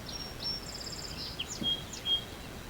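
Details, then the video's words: Two birds: a close song sparrow gives two high introductory notes, then a quick, bright trill and sharp whistled slurs, while a second, fainter bird sings farther off. "The one that's close is a song sparrow. That's what it's. When a song sparrow makes its noise, it does two"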